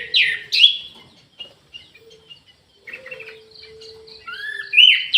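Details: Orange-headed thrush kept in an aviary, singing actively: brief bright whistled notes and a rising, fluttering phrase in the first second, sparse soft notes, then a fresh burst of rich slurred whistles near the end. A steady low hum runs underneath.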